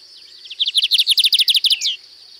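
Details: Distinctive song of a Lined seedeater from Sítio Paraitinga in Cunha: a rapid, evenly spaced series of high buzzy chips lasting over a second, finished by a single downslurred note.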